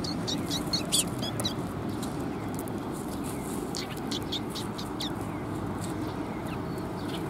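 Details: Sparrows gathering at a raised feeding platform for food, 7 June 2021; scattered sharp high chirps, denser near the start, then sparse, over constant low rumbling background noise.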